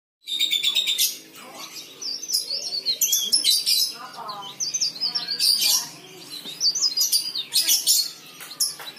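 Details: Leaf warbler singing vigorously, recorded for use as a lure to make other leaf warblers sing; dense high twittering phrases with quick rising and falling notes in bursts, while lower chirps from other birds sound faintly beneath.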